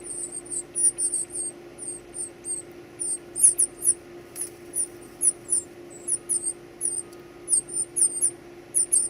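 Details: High, needle-thin begging squeaks from baby birds being fed, delivered in steady, closely spaced bursts for over nine seconds, with a soft hum beneath.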